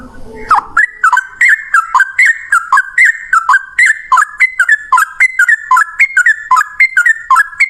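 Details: Yellow-vented bulbul singing its long rapid fighting song: after a short low note, clear two-part chirps repeat steadily and evenly throughout, rising and falling slightly.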